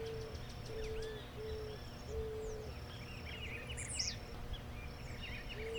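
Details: In Brazil, an eared dove gives a steady string of short, soft, low coos at roughly one-second intervals, while other birds chirp and trill high above and a low background hum continues throughout.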